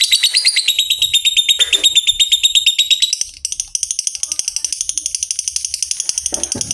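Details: Long ngekek trill of a fighter lovebird, played to make other lovebirds answer with long trills: a shrill, rapid string of repeated chirps, briefly slackening around three seconds, with a few low thumps in the background.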